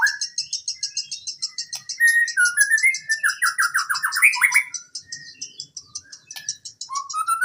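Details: Training song of the white-rumped shama for reluctant singers: persistent high pulsing chatter, over which rich whistles and a fast descending series of slurred notes play, ending with a rising whistle.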